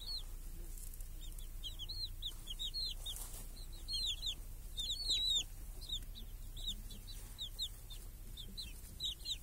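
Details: Village chickens, hens and chicks feeding under a protective cage on a clear summer day while chicks hunt flies; a dense flock of shrill, descending peeps comes in bursts, busiest midway, over steady low background rumble.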